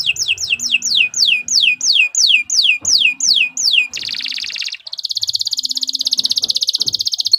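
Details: Canary song for tutoring cage birds: a steady series of falling whistled notes, a brief harsh buzzy burst, then a long, rapid, even high trill.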